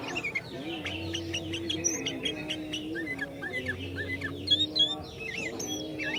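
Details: Sooty-headed bulbul singing to provoke other bulbuls: bubbly, looping whistled phrases that rise and fall, several voices overlapping throughout, over a steady low hum and a busy chorus of other birds.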